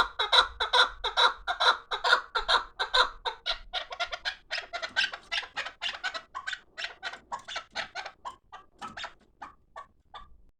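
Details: Fighting partridges of the chukar kind deliver a fast, loud series of harsh clucking notes that gradually slows, thins out and fades toward the end.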